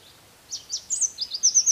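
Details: Red warbler (Cardellina rubra): a rapid, accelerating series of very high, thin twittering notes, rising slightly and coming close together toward the end, against a quiet background.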